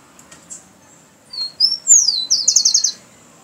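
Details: Rufous-collared sparrow song: two high clear whistled notes, a longer slurred note sliding downward, then a rapid even trill of about seven notes, in a quiet setting with faint background hum.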